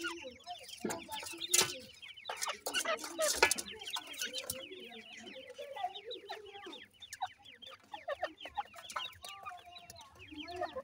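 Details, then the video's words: Brown chicks of the irani teetar (Iranian partridge) being fed: a busy chorus of rapid descending peeps, low clucking underneath, and loud handling rustles early on. "irani teetar k bhuray bachay, teter chicks feed"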